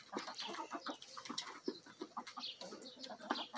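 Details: Backyard hens and a Bielefelder and Golden Cuckoo Marans rooster feeding; rapid dense clucks and pecking clicks in quick succession, busy and overlapping throughout.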